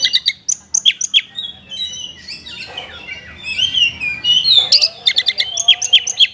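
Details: Oriental magpie-robin delivering a kapas tembak-style song fill: bursts of sharp chips about four a second, a middle stretch of warbling, sliding whistles, then another rapid series of bright staccato notes.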